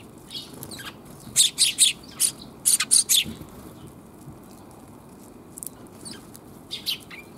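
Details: Sparrows chirping in a back alley, 28 January 2022: a burst of bright, high-pitched tweets clustered in the middle, about eight notes within two seconds, then scattered fainter chirps over steady low hum.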